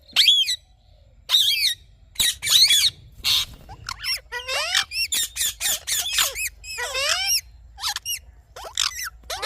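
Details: Rose-ringed parakeet morning chatter: dense, overlapping screeches and rasping notes, some with hooked, descending tails, tumbling out almost continuously with only short breaks.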